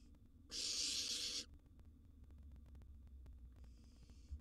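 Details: Wild barn owl nestling in a monitored nest box at mealtime, with a sizeable gerbil brought as food: one loud rasping hiss lasting about a second, later a fainter shorter hiss, in a quiet box.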